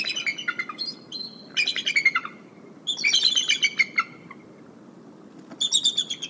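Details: Warning vocals of the mother bald eagle at Decorah in winter, 29 January 2022, after a sub-adult visitor perched across from the nest and a skier approached. Three loud bouts of fast, piercing chattering notes, each stepping down in pitch.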